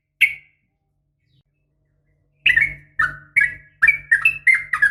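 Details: Yellow-vented bulbul female summoning a male: one bright chirp, a long silence, then a string of separate, slurred, falling whistled notes about three per second over a low hum.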